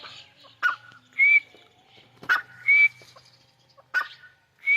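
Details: Wild grey francolin in its natural habitat in Pakistan giving loud, shrill two-part phrases, a sharp clipped note then a rising whistle, repeated about every one and a half seconds.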